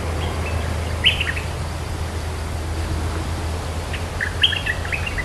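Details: Cream-vented bulbul, territory owner responding to song, with two quick bubbling phrases of bright sliding notes about three seconds apart against a low humming background.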